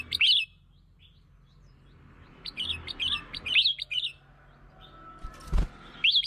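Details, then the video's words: Red-whiskered bulbul singing to lure and excite other birds, scattered bright warbled phrases with long quiet gaps, a loud click near the end, low hum beneath. "เสียง (ยั่ว) นกกรงหัวจุก เสียงนกกรงหัวจุกล่อนก กระตุ้นนกกรงหัวจุก"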